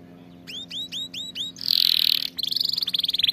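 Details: Canary song recorded to train canaries: five evenly spaced upswept chirps, a loud harsh buzzy tour, then a rapid bright trill repeating many times a second.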